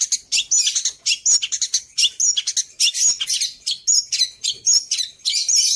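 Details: Singing long-tailed shrike using fills copied from other birds, delivering a dense run of scratchy, high-pitched chattering phrases mixed with short clear whistles, nearly continuous and varied.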